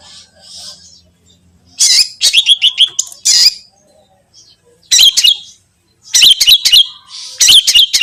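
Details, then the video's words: A long-tailed shrike sings to trigger other shrikes into song: loud, raspy bursts of rapid stuttering notes come in three spaced groups after a quiet, hum-filled opening. "Terbukti ampuh... cendet lain bakal langsung bunyi || masteran cendet"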